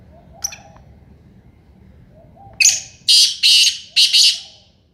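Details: Harsh grating call of a black francolin (Sindhi kala tetar): four rapid, loud, buzzy bursts delivered in a tight run after a quiet stretch with a faint short note and soft background cooing.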